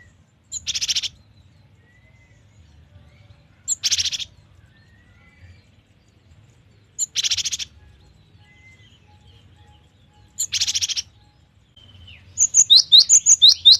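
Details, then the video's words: Cinereous tit in gacor (vigorous, varied) song, described as full of variation and suited for training and luring birds; four harsh buzzy bursts about every three seconds, then a rapid run of short, sharp high notes at the end over a faint low hum. "GELATIK BATU GACOR || the melodious sound of stone sparrows"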